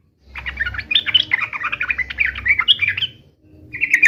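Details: Yellow-vented bulbul (trucukan) in fighting song, played to make other bulbuls answer: a rich, busy burst of bubbly warbling notes lasting about three seconds, then a short further phrase after a pause.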